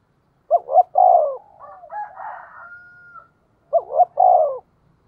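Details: Spotted dove with a 'giọng thổ' voice, calling as a lure for wild birds. Two coos of quick rising notes and a long falling note, with softer warbling and a high flat whistle in between.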